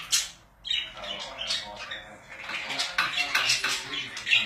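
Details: Pet budgies in a small room give quick, scratchy, high-pitched warbling with clicks and squeaky chirps in uneven bursts, one louder squawk at the very start.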